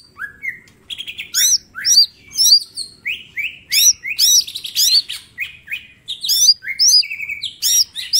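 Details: Continuous rich song from a small green leafbird used as training material: rapid hooked whistles, rising slurs and sharp high notes tumbling together almost without pause for eight seconds.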